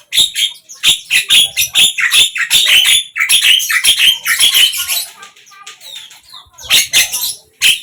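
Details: Javan myna singing, morning, midday and evening: a continuous run of loud raspy, buzzy notes packed closely together, softening into quieter scratchy twitter, then a last burst of harsh chatter.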